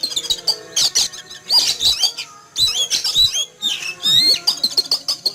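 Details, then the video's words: Oriental magpie-robin kept in a cage set out in a yard in the morning, calling noisily in fright after seeing an eagle fly over; harsh, buzzy bursts mixed with high whistled notes in irregular clusters, with a man's voice. "Kicau Burung Kacer Ketakutan Melihat Burung Elang Terbang"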